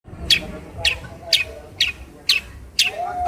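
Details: Hand-reared caged long-tailed shrike from Cilacap, trained with a phone recording and skilled at mimicking other birds: sharp, harsh chip notes repeated about every half second, with a low background hum.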